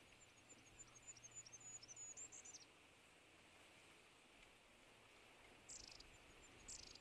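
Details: Great tit (Parus major), song.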